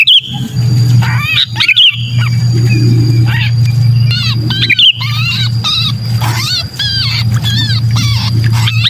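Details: Trapped sooty-headed bulbul giving distress calls, recorded for luring shy bulbuls down: scratchy, rising-and-falling nasal notes in rapid clusters, with a constant low droning hum, a thin steady high tone and occasional loud knocks.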